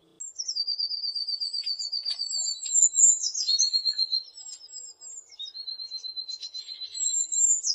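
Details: Blue tit song made of very high, thin introductory notes followed by rapid buzzy trills, repeated in overlapping phrases over several seconds in quiet surroundings.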